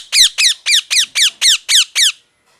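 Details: Parrot chirping eight times in quick, even succession, each loud note sliding sharply downward, before falling quiet.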